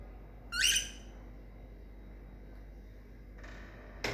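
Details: A cockatiel sitting inside a fridge because of excessive heat gives one loud, rising, harsh screech, followed by soft rustling and clatter.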